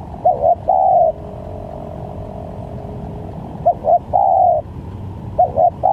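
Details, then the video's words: Spotted dove calls used as a lure for bird trapping: two full phrases of two clipped coos and a drawn-out mellow note, separated by a long pause, with a third phrase beginning at the end; faint low hum behind. "Pancingan Tekukur||Berpariasi Bunyinya||Cocok buat Mancing Pikat"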